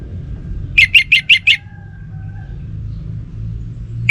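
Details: Orange-headed thrush, kept in Singaraja, northern Bali, gives a quick row of five sharp chirps, then a long quiet stretch with faint low hum and a last note at the very end.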